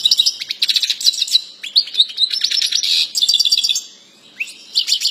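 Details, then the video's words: European goldfinch singing a fast, jangling stream of high twittering notes and buzzy trills, with brief pauses between phrases before the chattering resumes. "CANTO JILGUERO"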